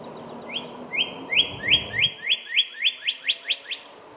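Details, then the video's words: A Northern Cardinal sings a clear series of about twelve quick, upslurred whistled notes that speed up slightly, over a low background rumble. "Sound of Northern Cardinal"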